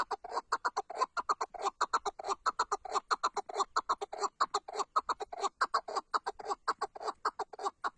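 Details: Loud series of rhythmic, hoarse chuk notes from a Tatar chukar partridge, closely and evenly spaced, continuing without a break.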